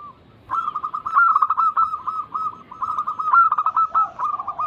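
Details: Zebra dove lure recording for birds that rarely sing: a dense, continuous run of rapid, rolling coo notes beginning after half a second and carrying on to the end.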